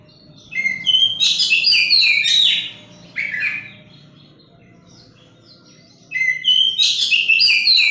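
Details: Oriental magpie-robin, a young bird being tamed and trained to sing, giving loud bursts of rich whistled and chattering phrases, separated by short pauses, with a faint low hum beneath.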